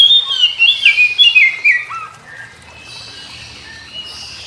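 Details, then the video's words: Oriental magpie-robin in morning song, replying to other magpie-robins: about two seconds of rapid, twisting whistled notes and a low downslurred note, followed by quiet background with faint distant chirps. "Kicau KACER Pagi Hari KACER Lain Denger Langsung Ikut GACOR Nyaut Koar Koar"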